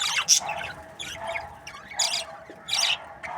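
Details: Budgerigar breeding pairs make scattered squawks and warbling chirps, a loud sharp note early on, then softer, wavering calls with pauses between them.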